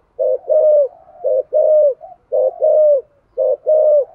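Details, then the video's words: Spotted dove cooing to stimulate other doves to coo, in the 'thổ' voice style: a steady cycle of one short coo followed by a longer, slightly falling coo, repeated about every second, with nothing else audible. "cu gáy thúc gù giọng thổ hay và chuẩn nhất 2023/ tiếng chim cu gáy kích bổi"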